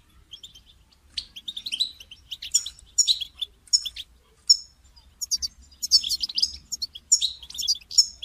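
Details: European goldfinch in captivity, calls to motivate a caged bird to sing; soft chirps at first, building into repeated high, bright twittering phrases.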